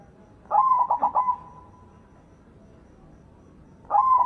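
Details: White zebra dove singing loudly, a recording meant to lure silent doves into song: a bright cooing phrase of about four quick pulsed notes running into a held, fading tone, with a second phrase starting near the end.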